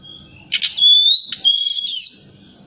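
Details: Forktail lure call at night, intended to make other birds respond: a rasping burst, then a long, thin whistle rising gently, another harsh note, and a steady high whistle ending in a quick upward flick.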